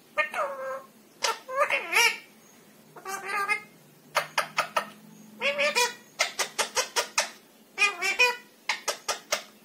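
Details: A pet ringneck parakeet chatters in short, speech-like bursts of mimicked Hindi words, raspy and nasal, with quick syllable runs and brief pauses between phrases.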